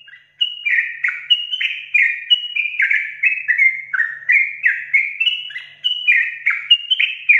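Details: Sooty-headed bulbul in long, rapid 'ropel' singing: a continuous run of short, bright, slurred whistled phrases, falling and rising, packed several per second with barely a pause, on a clean, quiet background.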